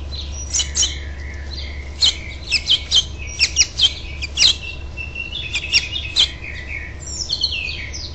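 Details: House finches at a nest on 12 June 2007, a parent flying in to urge the last fledgling to leave; sharp high chirps and short twittering notes in irregular bursts, some rising or falling, over a low steady hum.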